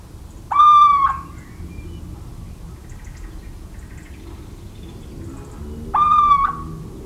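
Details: Little owl calling in the countryside of central France on 17 March 2019: two clear, slightly falling nasal hoots around half a second long, spaced about five seconds apart, over faint rural background noise.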